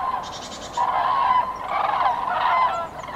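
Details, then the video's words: Several common cranes calling during spring migration in Nouvelle-Aquitaine, France, on 8 February 2017: sustained, overlapping bugling notes forming a continuous chorus for about two seconds. "GRUE Cendrée/Migration Prénuptiale"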